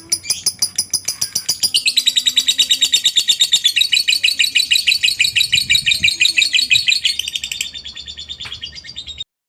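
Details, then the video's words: Long ngekek of a lovebird, played as a lure to make other lovebirds join in: a continuous rapid chattering trill of high, grating notes, about three per second, running steadily for nearly nine seconds. "pancingan burung Lovebird suaranya bikin lbmu ikut ngekek ,rajin bunyi pastinya ngekek panjang"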